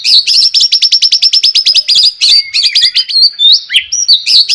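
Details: White-rumped shama singing in the morning to prompt other shamas: a fast even series of high repeated notes, then varied whistled and buzzy phrases with sharp upward slurs.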